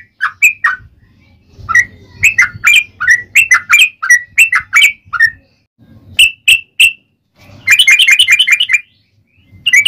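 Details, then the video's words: Fighting-mood 'ropel panjang' song of a yellow-vented bulbul: bursts of bubbly, slurred notes separated by pauses, ending in a very fast, bright trill-like run, with low background hum. "SUARA trucukan gacor ROPEL PANJANG"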